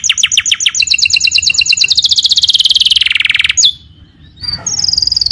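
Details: Canary song recorded as a masteran, a tutor recording for other birds: rapid high trill of repeated syllables rolling into a dense buzzy trill, then a short pause and a thin high note.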